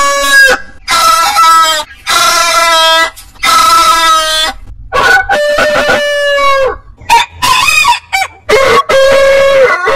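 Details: Several roosters of heritage breeds crowing in turn, long harmonic-rich crows with a rising start and drawn-out level tail, some calls overlapping, short gaps between crows.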